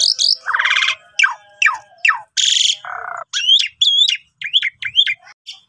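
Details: Lively Asian pied starling song, suited as a training master for other starlings: harsh buzzy bursts, sharp falling whistles, a lower nasal rasp, then looping rising-falling whistled phrases repeated several times.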